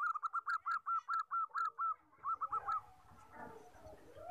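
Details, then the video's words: Common 14-tailfeather zebra dove, valued for luring and tutoring birds: a steady string of about a dozen clipped, hooked cooing notes, then fading into rustling background noise. "SUARA PERKUTUT LUMRAH EKOR 14, BAGUS BUAT PIKAT & MADTERAN"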